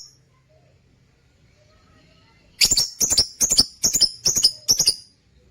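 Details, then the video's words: Lutino opaline lovebirds in a cage: after quiet, a run of seven loud, harsh, high-pitched screeches in quick, even succession, about two per second. "Love birds sounds"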